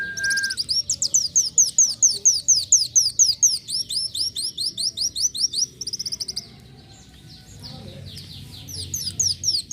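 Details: Van Hasselt's sunbird singing vigorously in training-recording style: long run of rapid, sharp, high down-slurred notes, a brief chattering burst, a pause of about two seconds, then the quick high series resumes, over faint low hum.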